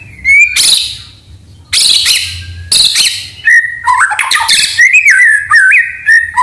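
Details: Singing white-rumped shama, its song filled with canary and cililin imitations, used as a lure and tutor recording: harsh bursts separated by short pauses, then lively whistled warbling with quick pitch jumps.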